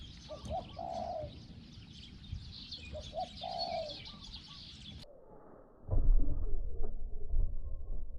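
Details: Spotted dove kept as a decoy for luring wild doves, small voice: soft, evenly pitched coos spaced about a second apart in hissy surroundings, ending in a sudden loud rumbling handling noise.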